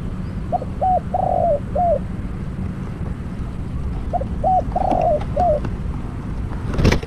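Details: Spotted dove used as a decoy for trapping, giving two cooing phrases of short hollow notes and a rolling croon, then a brief clatter at the end.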